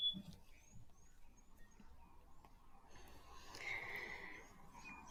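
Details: Forest Robin call played as a recording; males call in forest to attract another male or defend territory: thin, high whistled sliding strokes about twice a second over steady hiss, with a brief noisy burst midway.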